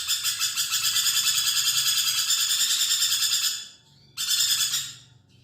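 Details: Lorikeet (nuri perkici) in lively voice, a tutor sound for magpie robins: continuous grating, buzzy screeching pulsed roughly three times per second, breaking off briefly before a final short burst.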